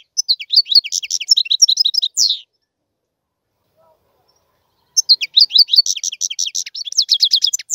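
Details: European goldfinch singing: two bursts of rapid, high, tinkling twitters and chirps, each lasting about two seconds, separated by a silent gap of roughly two and a half seconds, with no other sounds heard.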